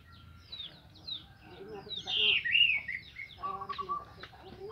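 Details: Orange-headed thrush in morning song, used to stimulate other thrushes into singing: a burst of high, rich, slurred whistles in the middle, framed by quieter lower warbling notes.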